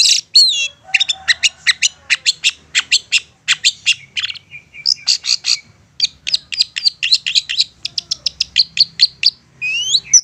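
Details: Long-tailed shrike delivering a provoking song to incite other shrikes to answer: long fast chatter of high sharp chips, briefly pausing for a thin whistle, then resuming, closing with a rising slurred note.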